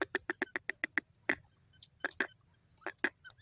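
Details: Grey partridge calling: a rapid run of about eight sharp, harsh, clipped notes, then short pairs and single louder rasping notes, with a faint low rumble underneath.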